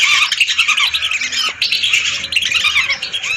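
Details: Hundreds of lesser whistling ducks used as a hunting lure: a dense, loud, nonstop chorus of overlapping squeaky whistles and chattering notes that blur into one continuous wall of calls.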